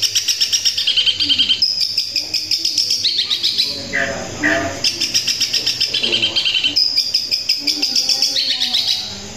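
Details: Long-tailed shrike song: a dense, high run of rapid chirps, broken midway by a falling, cackling phrase, with faint voices in the background.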